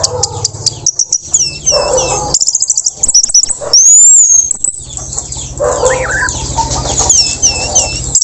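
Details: Orange-headed thrush singing in the continuous teler style after its moult, used to tutor young speckled birds: rapid high chips and sharply slurred, hooked whistles in bursts, with a steady low hum underneath throughout.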